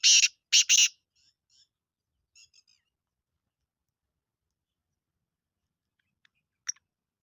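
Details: Kala teetar, a Sindhi black francolin, gives three rapid, harsh, grating notes at the start, followed by faint soft chirps and near silence with one short click-like note late on.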